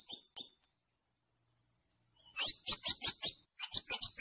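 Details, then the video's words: Two thin high notes from a scarlet-backed flowerpecker, a pause, then a loud rapid series of sharp, very high chips with slight downward inflection. "เสียงนกชมพูสวน, นกขุนช้างขุนแผน, Scarlet-backed Flowerpecker Song."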